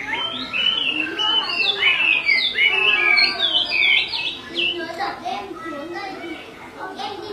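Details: A female Chinese hwamei calling continuously while the male is agitated; loud, twisting whistled phrases for the first half, then thinner, scattered notes and softer chatter.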